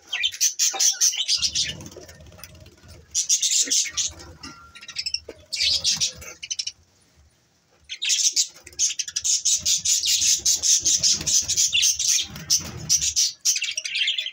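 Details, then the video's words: Budgerigars chattering in the morning: fast, scratchy chirps repeated rapidly, then a short lull, then a long, dense burst of high warbling chatter. "good morning budgies Parrot 🦜🦜 Bueatiful Sounds morning"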